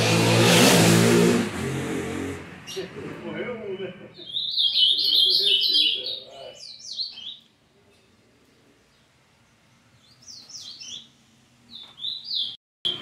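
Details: A person talks at first, then a young brown Ultramarine Grosbeak, still learning its song, delivers a quick warbling run of high chirped notes. Near the end, after a long silence, a few more scattered notes follow.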